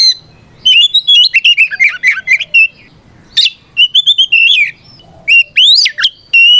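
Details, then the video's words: Oriental magpie-robin singing an aggressive fighting song to goad other birds: rapid chattering whistled notes, a brief harsh burst, then clear slurred whistles and steep upward sweeps. "Suara Burung kacer gacor NGEPLONG tarung ini paling ampuh buat PANCINGAN KACER agar EMOSI Nyaut"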